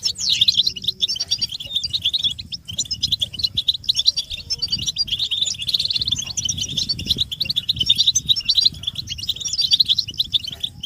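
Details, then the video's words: European goldfinches in group twittering (batbata), mating and readiness calls used to stir silent males into song: dense, continuous high tinkling and chattering notes overlapping without pause, with a low rumbling background throughout. "بتبتة الحسون تحفيز الحسون على التغريد والهيجان علاج صمت الحسون goldfinch stimulation"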